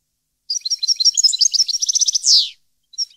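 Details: Song of a European goldfinch from 2015: a bright, fast sequence of tinkling, twittering notes about three per second rising into rapid repetition, finished by a drawn-out buzzy downward note, then a short resumption.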